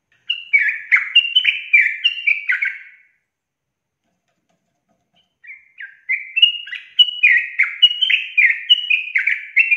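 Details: Sooty-headed bulbul singing its long, lively rapid-fire song to spur other bulbuls: two bursts of repeated downslurred whistles, about one note a second, separated by a silence of roughly two and a half seconds.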